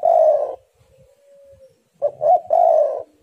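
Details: Spotted dove, actively singing, in a lure recording meant to get other doves singing: a loud, low, hollow crooning coo that slurs downward, a soft trailing note, then two short coos leading into another drawn-out croon. Faint low thumps underneath.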